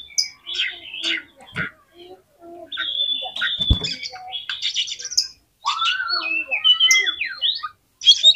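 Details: Oriental magpie-robin song used as a trigger for other magpie-robins: broken bursts of harsh chatter and clicks give way to flowing whistled phrases and falling slurs, with a sharp knock near the middle.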